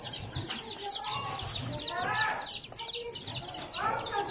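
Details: Young chickens at play give a dense, continuous mix of shrill peeps and quick downward chirps, with occasional lower clucks layered beneath the steady high-pitched chatter.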